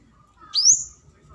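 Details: Flowerpecker, a kemade cabe-cabean lure call to summon a rival: one thin, high, sharply rising and then level whistled note with faint low background rumble.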